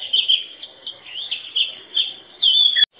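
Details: Rapid run of short, bright whistles and chirps from an Oriental magpie-robin, ending in a louder sustained, slightly upslurred whistle that cuts off abruptly.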